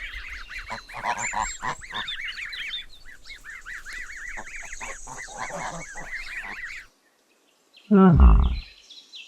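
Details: Gosling calling with a rapid series of short, nasal, harmonic honks and peeps for about seven seconds, then a brief silence and a loud, different, falling sound near the end.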